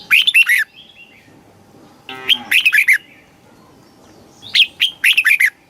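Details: Red-whiskered bulbul singing in Thailand, southern-style song for exciting birds or teaching chicks; three lively warbled phrases of rapid slurred notes, one opening with a brief buzzy rasp.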